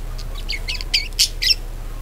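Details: Budgerigar chatter to lure other budgies into song: a brief burst of rising squeaky chirps, ending in three louder buzzy notes.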